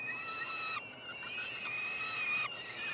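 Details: Peregrine falcon triplets at a University of Montreal nestbox, Quebec, Canada, during a feeding on 21 June 2022: a steady, whining, high scream held almost unbroken, with small breaks and overlapping voices.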